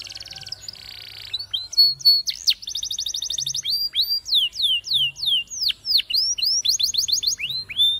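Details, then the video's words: Spanish Timbrado canary singing a training song: opening buzzy, rattling trills, then rapid bursts of high repeated notes, followed by a long run of sweeping whistles, each looping down and up again. "The Best Canary Sound!!! Reliable for Spanish Timbrado Canary Training"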